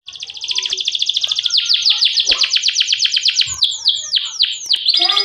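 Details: Domestic canary in full, vigorous song, played as a lure to set other canaries singing: long fast trill of repeated high buzzy notes, then a run of loud downward-sweeping whistled slurs and another rapid roll, one low tap heard.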